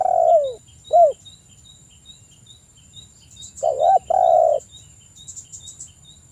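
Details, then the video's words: A spotted dove gives soft, mellow coos, used as a lure to make doves sing: two short notes, a pause, then a bent coo and a longer drawn-out one, over a thin, steady high insect whine. "Pancingan tekukur agar bunyi dalam 1menit tekukur bahan dan macet ikut gacor"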